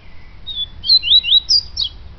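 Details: Short yellow-bellied seedeater phrase: a thin, level whistle followed by a rapid run of loud, bright, up-and-down slurred notes, ending in a higher clear note and a brief twitter.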